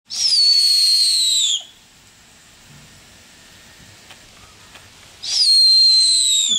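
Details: A snowy owl at Tattershall Farm Park, Lincolnshire, in October 2022 gives two long, high, whistled screams, each sliding downward and lasting over a second, separated by several seconds of quiet.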